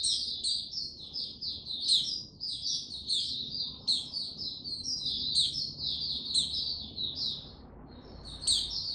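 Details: Male white-eye (Mata Puteh) singing on 6 March 2022 as he gains confidence before fully opening up, slow and steady: a continuous, high, rambling warble of quick sweet notes with sharp upward flicks, over a low background hum.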